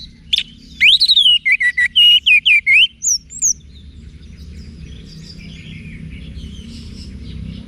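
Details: Orange-headed thrush song for cage-bird training, Singaraja in northern Bali: a loud fast string of whistled and buzzy notes with rising and falling slurs, about a dozen elements, fading into soft background chatter.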